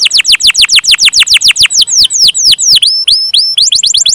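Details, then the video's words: Canary singing loudly with a long roll: a fast, steady series of high, downward-sweeping whistled notes, about five per second, shifting midway to slurred notes with rising tails, then quicker again. "Burung Kenari gacor rol panjang"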